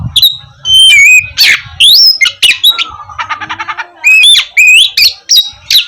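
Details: Energetic Oriental magpie-robin song for stirring lazy birds to sing in the morning: clear whistles and rising slurs, a fast stuttering rattle of repeated notes in the middle, then loud upslurred whistles.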